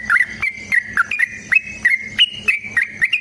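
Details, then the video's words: Rapid fighting song of a sooty-headed bulbul: a continuous string of bright chirping whistles rising and dipping, roughly four notes per second, used to make other bulbuls reply. "TRUCUKAN GACOR TARUNG ROPEL PANJANG"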